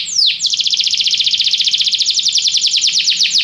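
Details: A canary sings to stimulate another canary's singing. One sharp falling note opens a long, fast, bright trill of evenly repeated pulses that holds steady for about three seconds.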